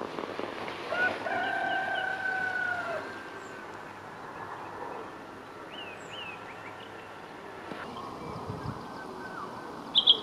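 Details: Morning in Imsil, North Jeolla, South Korea: a rooster gives one fairly distant, steady crow of about two seconds. Afterwards come quiet short chirps from other birds and a sudden sharp noise at the end.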